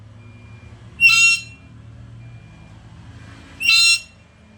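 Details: Black-capped lory, described as a lively, talkative bird, gives two loud, harsh, noisy screeches about two and a half seconds apart, each lasting under half a second, over a faint low background hum.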